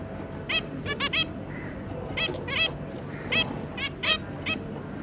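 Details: Zebra finch family of an adult pair and three juveniles, recorded 2 August 2022: short nasal, harmonic-rich beeps in loose pairs and triplets, separated by brief pauses, over a low steady hum.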